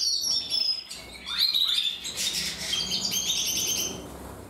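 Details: Several canaries singing, with high whistled notes and falling slurs, then a dense buzzing trill of fast repeated chirps.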